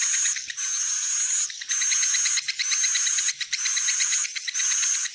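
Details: Swiftlet call for drawing the birds into a roosting building: loud buzzy bursts with fast ticking pulses and a high steady whistle, about one burst per second with short breaks.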